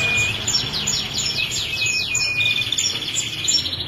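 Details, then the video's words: Female ashy prinia singing, a 22-second non-stop training recording: rapid series of high, thin descending chirps repeated several times a second, with a steady high whistle-like tone running underneath and faint low background rumble. "Masteran Prenjak Betina Kristal Nembak 22 Detik Tanpa Jeda"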